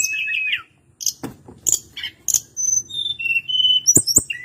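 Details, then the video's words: Tledekan gunung, the hill blue flycatcher, giving bright whistles broken by short sharp clicks, ending in a string of thin high notes that step down in pitch. "Kicauan harian Tledekan gunung"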